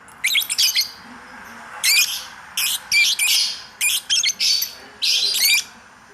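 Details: Short bursts of high, squeaky chattering from a hobby lovebird singing ngacor, each burst under a second long, with brief pauses between them.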